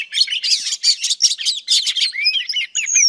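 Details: Female oriental magpie-robin singing to excite males: dense buzzy chatter for two seconds, then clean curved whistled notes sliding up and down.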